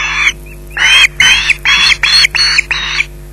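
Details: Loud, harsh screeching from an osprey holding a fish at the nest at Loch Garten: one cry, a short gap, then six strong grating calls delivered almost without pause.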